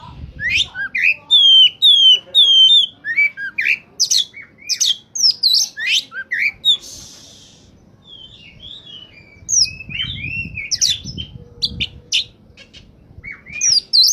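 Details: Oriental magpie-robin in peak singing form, used as a lure for wild birds: loud, varied whistled phrases with sharp slurred notes and rapid chirps, brief pauses between bursts, some low rumbling handling noise midway.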